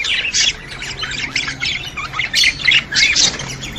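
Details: Budgerigars chattering to stimulate other budgies: quick bursts of high, scratchy chirps and squawks, roughly three or four per second, in uneven pulses with short dips between them.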